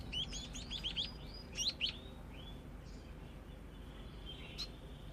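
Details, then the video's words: A young scaly-breasted munia practising its song gives a rapid burst of high, thin rising chirps in the first two seconds. Then come fainter drawn-out notes and a single late chirp over quiet background hiss. "Burung pipit/emprit/peking jawa belajar ngoceh"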